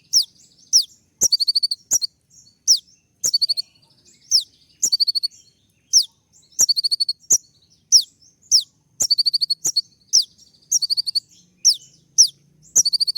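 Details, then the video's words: Olive-backed sunbird in sharp, rapid 'shooting' song while courting a female: a steady series of high piercing downslurred whistles, each trailed by a fast clipped trill, repeated roughly every second. "putar sekali koninmu pasti nyaut masteran suara tembak yang buat konin emosi"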